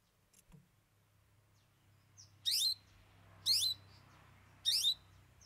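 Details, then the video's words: Long-tailed shrike (cendet) opening up its song with three isian, mimicked filler songs: three loud, harsh, buzzy high notes, each sweeping upward, spaced about a second apart after a quiet start. "Cendet Bongkar 3 Isian"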